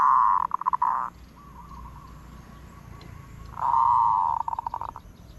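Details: Zebra dove giving its 'od' style cooing: two loud rolling trilled bursts near the same mid pitch, each about a second long with stuttering pulsed ends, linked by a faint steady hum of cooing between them.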